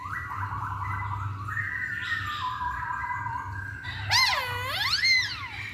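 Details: Lure song of a masked laughingthrush, meant to make other birds sing: soft falling whistled notes lead into loud, sweeping, rich calls that swoop down and up twice.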